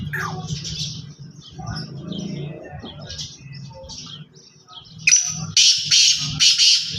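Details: Black francolin: a low hum and scattered small-bird chirps, then a loud rough call of about four harsh, scratchy bursts delivered quickly near the end.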